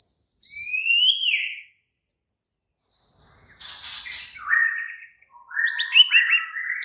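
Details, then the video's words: White-rumped shama in excited song: a rising whistle, a quiet spell, a harsh scratchy note, then loud stepped whistles climbing and falling in quick succession. "Murai batu langsung EMOSI TERPIKAT suara murai batu ngamuk AKTIF"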